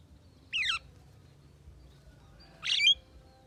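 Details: Two brief calls from a Javan myna, a talking bird: a descending wavering whistle, then after a two-second pause a rough chattering note with a whistled tail, against faint background hum.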